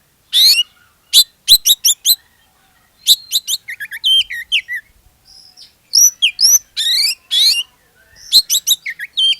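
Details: Oriental magpie-robin song played to encourage other magpie-robins to sing, made of high sharp chirps in clusters, twittering runs, slurred whistles and harsh buzzy notes, delivered in bursts with brief gaps.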